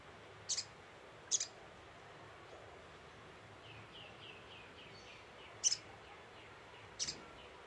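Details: Scarlet-headed flowerpecker lure call: high, sharp doubled chips in pairs, with a faint descending series of lower, softer notes from another bird in between.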